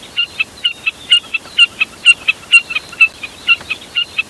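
Jack snipe giving sharp, high notes in quick doubled pairs, about two pairs a second, steady and unbroken over a faint background hiss.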